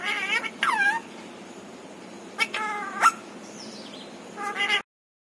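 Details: Pet parrot said to mimic a cat's meow and say words; wavering meow-like tonal calls, a brief sharp note, and a final whiny call before silence.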